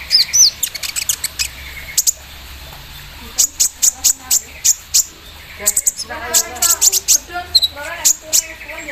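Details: Javan sunbird in the morning dew, singing hard with an embroidery-machine style fill: rapid bursts of thin, sharp, high chirps and trills repeated in quick clusters, with a few lower buzzy notes and faint background sounds.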